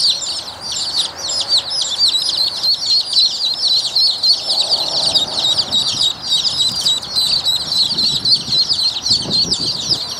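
A group of Rouen ducklings keeps up a dense chorus of high, thin peeps, several each second and overlapping throughout, with faint rustling beneath.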